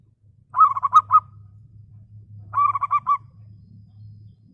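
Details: Local zebra dove (perkutut lokal), a clear-voiced bird used as a lure to call rivals, giving two bursts of rapid cooing notes, each about half a second of four or five pulsed coos, over a steady low hum.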